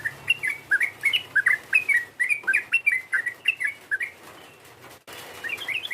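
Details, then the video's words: Rival-provoking call of a sooty-headed bulbul: a lively stream of bright, bouncing chirps, quick and slightly irregular for about four seconds, then a brief break and fainter chirping resumes. "PANGGILAN TRUCUK ini memancing emosi lawan, TRUCUKAN langsung BUNYI GACOR"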